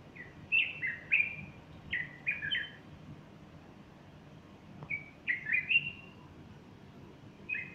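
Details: A bulbul sings on a Sunday morning in late August 2015 next to a fluffed-up female; rich fluty phrases come in clusters, a quiet gap, then another lively burst of rolling whistles.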